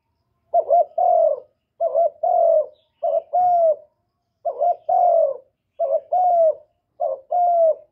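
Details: Spotted dove giving a luring coo to stir other doves. A steady series of low phrases follows, each a quick double stutter and then a drawn-out soft hoot, repeated six times.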